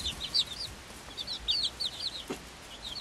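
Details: Young Swedish flower hen chicks, five weeks old, with a silkie chick of equal age; clear high piping peeps in rapid series, loops and arched notes, one soft tap midway, quiet surroundings.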